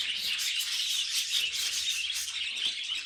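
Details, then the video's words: Budgerigars kept as pets chattering together: a steady wash of bright, buzzy chirps and twittering notes, many birds calling at once. "Funniest Budgie Sounds Caught on Camera"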